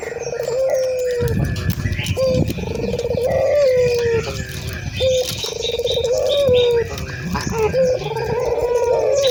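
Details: Local puter (ringed turtle dove), described as gacor or actively calling, used to prompt other doves to coo; drawn-out low tonal coos with short rising hooks, repeated irregularly over a steady background hiss.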